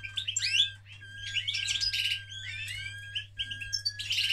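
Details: Mating male canary pours out continuous song of quick chirps, sliding whistles and rattling trills in short overlapping phrases, loud and bright, with a faint steady hum underneath.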